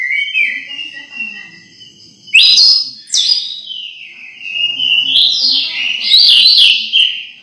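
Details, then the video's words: Orange-headed thrush kept as a cage bird, song meant to prompt other thrushes to sing: long clear whistled notes sliding up and down, broken by a few loud sharp bursts. "Anis merah bunyi langsung teler"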